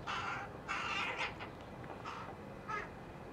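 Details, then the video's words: Rooks and their chicks, recorded July 2021, giving a run of raspy, hoarse caws, two close together at the start, then shorter calls spaced about half a second apart over steady background hiss. "The rookes and their chicks"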